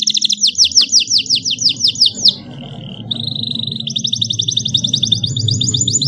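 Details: Young caged canary learning to sing from a model recording in an elaborate style: fast, sweeping repeated notes, a brief steady tone, then a high rolling trill over a low background hum.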